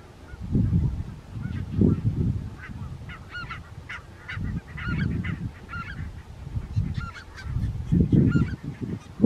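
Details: Barnacle geese recorded on 4 November 2024 near Strijen in the Netherlands, giving clusters of sharp, barking yelps in short bursts between lulls, with a heavy low-pitched rumble underneath.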